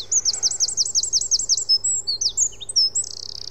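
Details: Eurasian wren song: its explosive opening is really loud for such a tiny bird. This individual gives two trills: a loud, very high, rapid trill of repeated notes, a few varied whistles, then a second buzzy trill, over a low steady hum.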